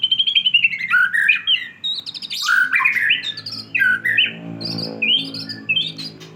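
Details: Caged white-rumped shama singing after its moult, a varied rich song of slurred falling whistles, chattering phrases and sharp high notes pouring out continuously, over a low steady background hum.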